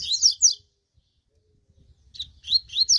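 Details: Double-collared seedeater warming up its song: two brief bursts of high, slurred whistled notes separated by over a second of silence.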